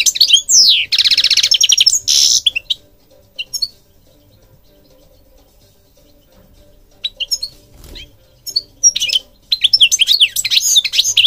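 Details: European goldfinch opening with a loud nasal buzzy burst and twitters. A long near-silent stretch with scattered single notes follows before lively twittering song resumes at the end.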